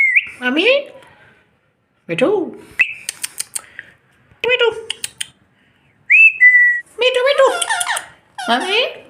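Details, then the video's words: Household Indian ringnecks described as teasing each other produce bursts of harmonic speech-like calls, clicks and a short flat whistle, with gaps of quiet between phrases like "me too" and "mommy". "Indian Ringneck Funny Sound"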